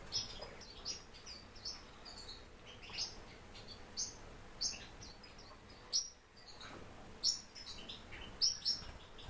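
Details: Warbling white-eye kept in captivity, uttering very high, clear chirps in separated bursts roughly every second, some notes sliding downward, over a quiet steady hum.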